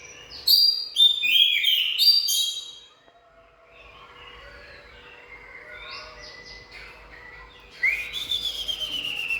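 Oriental magpie-robin singing: bright, varied whistled phrases, loud at first, then softer rambling notes, before a strong ringing phrase returns near the end.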